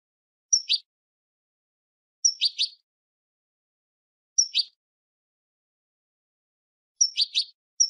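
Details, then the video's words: A female European goldfinch, whose calls are used to excite a silent male into singing, gives short, bright twittering bursts of two or three high notes every two to three seconds. "بتبتة انتى الحسون لتحفيز و تهييج الذكر الساكت"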